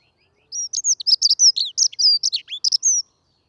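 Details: Dunnock song, a fast, hurried warbling: a dense run of high, rapid, twittering notes lasting about two and a half seconds, clean with no background sound; a bird that feeds on the ground.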